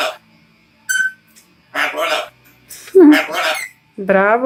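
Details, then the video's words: Macaw talking: a series of short, squawky, voice-like bursts with rich stacked harmonics, one brief whistled note near the start, and a final drawn-out harmonic squawk. A person repeatedly says hello nearby. "Parrot macaw talking"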